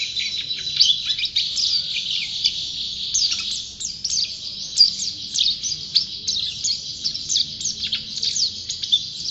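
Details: Long, vigorous outpouring of high, thin twittering from a champion white-eye, dense rapid notes with occasional sharp downward slurs, steady throughout.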